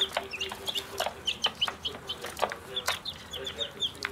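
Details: Several Pekin bantam chicks hatched in a school classroom peep busily in sunshine on their first outing, sharp falling cheeps coming in quick irregular bursts amid tapping clicks and a faint droning tone.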